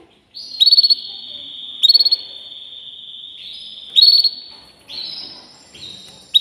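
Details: Canary singing long sustained rolled trills at high pitch, steady buzzy tones broken by bursts of rapid pulsed notes about every two seconds, with faint background rustle.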